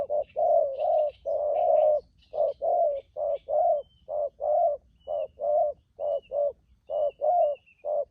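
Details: Newly trapped spotted dove delivering its 'thúc gù' coo series: a rapid string of short, hollow low notes, grouped in pairs, under thin high twitters from other small birds.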